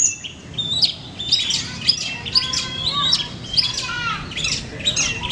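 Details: Competition long-tailed shrike at a training contest in Manden delivering a dense, rapid medley of shrill chirps and harsh chattering notes.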